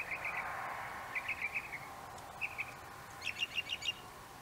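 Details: Northern Mockingbird singing in an apple tree: short bursts of quick repeated chirps and trills, each phrase echoed several times, over a steady background hum.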